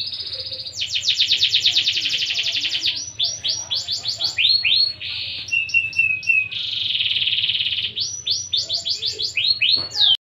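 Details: Singing canary, 'gacor', delivering a long loud trill followed by clipped repeated notes, sweeping slurs, a short whistled glide and another buzzy roll, all high-pitched and continuous, with a constant low hum underneath.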